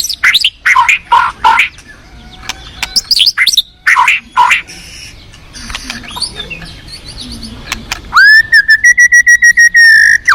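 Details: Forest white-rumped shama with bursts of harsh, scratchy notes and fainter chatter, followed by a steady series of about ten clear, evenly repeated whistled notes.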